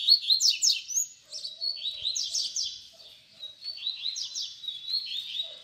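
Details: Baderna song of a double-collared seedeater, used to teach young birds: bright, high phrases of quick slurred notes and short trills, repeated in bursts roughly three per second, with a faint steady low hum throughout.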